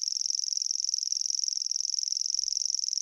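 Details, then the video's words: Grasshopper Warbler singing to attract a mate and define its territory, an insect-like song: a continuous, very high, dry reeling trill of rapid even pulses at a steady pitch, sustained without a break. "so as you can hear it sounds like it's name it's a grasshopper warbler and that's its song"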